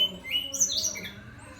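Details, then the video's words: Brown-chested jungle flycatcher singing vigorously: a brief phrase of high, thin whistled notes stepping downward, with a low background hum. "Sikatan rimba dada coklat SRDC gacor"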